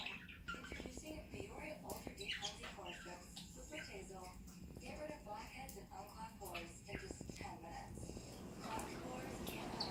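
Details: A female budgerigar gives rapid, chattering warbles and squeaky chirps while begging a male budgie to feed her, and he feeds her.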